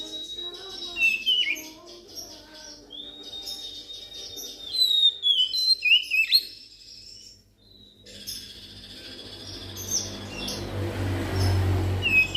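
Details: Oriental magpie-robin lure song, played so that magpie-robins which rarely sing will answer: long pure whistles and twisting slurred phrases in bursts, then a pause and a stretch of hissing background with faint high notes.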